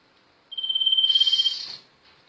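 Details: Sirtu bird gives a long thin high whistle with fast pulsing, swelling into a buzzy, rasping flourish before stopping abruptly.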